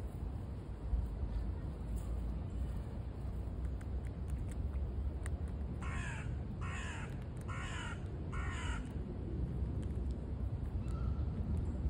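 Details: A carrion crow in Hamburg, where pigeons bully the crows, gives four harsh, hoarse caws, about one per second, over a steady low rumble of wind or distant traffic.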